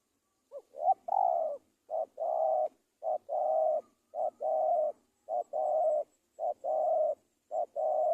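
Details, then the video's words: Spotted dove calling steadily: low, hollow coos, each a short soft note or two leading into a longer rounded coo, repeated at a regular pace about once a second, with no other sounds. "Tekukur gacorrr"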